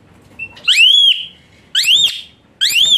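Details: Asian pied starling, played as therapy for a starling that sings lazily, gives loud rising-then-falling arched whistles, three in three seconds, each clear and ringing with a short flat tail.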